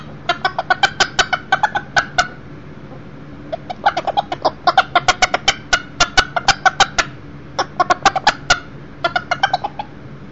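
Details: Young Millefleur d'Uccle beta rooster visiting indoors, near a brooder box holding a broody hen and baby chicks; a run of fast, sharp clucks, then a pause, then more clusters of rapid clucking notes.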